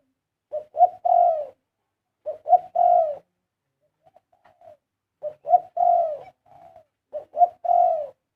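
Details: Melodious 'karom' song of a spotted dove: four low, hollow coo phrases, each a short stuttered lead-in and a long sliding coo, with a few faint quiet notes in a pause midway and no other sounds.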